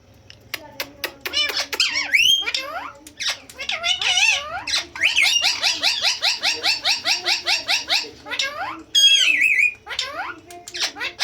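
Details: A talking ringneck parrot speaks in squawky, nasal, speech-like phrases, then a quick string of repeated syllables, broken by shrill squeaks near the end.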